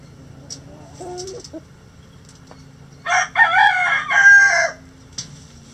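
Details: Rooster crowing in a sunny backyard coop shared by mixed egg-laying flocks and bantams: a single loud, harmonic crow of nearly two seconds follows a few soft clucks, with a steady low hum underneath.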